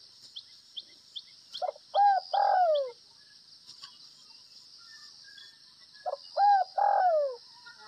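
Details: Spotted dove of the Tây Bắc (Northwest Vietnam) type cooing in the gáy gù (bo) style: two phrases, each a few short arched notes then a long, loud, slurred descending coo, about four seconds apart, over a steady high insect hum.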